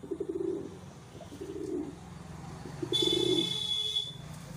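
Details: Wild pigeons held for rearing give three deep, bubbling coo phrases at roughly one-second gaps, then a bright, high, steady whistling tone sets in for the final second and a half.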